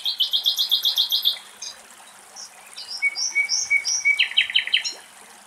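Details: Common nightingale (Luscinia megarhynchos) song, recorded at Axios Delta National Park, Thessaloniki, Greece: a rich, varied phrase with a fast rattle of about a dozen high notes, clear whistles and a long steady note, then a buzzy repeated ending.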